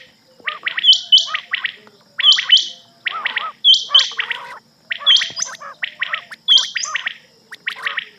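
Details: Rain quail (batair) calling at night, recorded for use as a hunting lure: rough phrases with sharp high whistled accents, repeated about every one and a half seconds, with a low steady hum behind.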